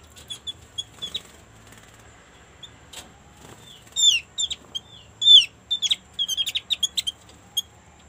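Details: White-eye lure sound for drawing same-species birds into song: sparse chirps at first, then louder descending whistled notes and a rapid series of sharp high chips.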